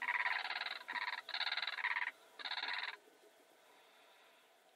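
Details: Blue crane of southern African dry grasslands giving loud, buzzy, rattling bursts, three long pulsed calls in under three seconds separated by brief gaps, then quiet background.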